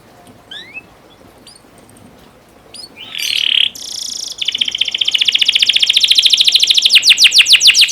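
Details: Canary training song for young birds: a few faint scattered chirps and a brief buzzy burst, then a steadily building rapid trill of downslurred notes that grows louder toward the end.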